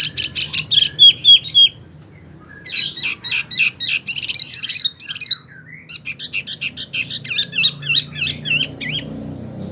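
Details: Wambi, a small caged songbird under care, singing a fast rolling song: rapid chirps and trills with sliding whistled notes in bursts, brief pauses between phrases, low background hum.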